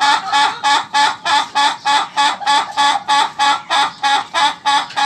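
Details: Ayam ketawa (laughing chicken) crowing: about seventeen short, throaty, giggle-like notes in a fast regular series, each a clear separate pulse.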